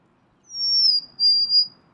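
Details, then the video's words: Golden-crowned sparrow whistling a long, high, pure note that drifts slightly down, broken into two parts, over a soft low background hiss. "Natural Birds Voice, Bird Natural Sound.Golden crowned Sparrow."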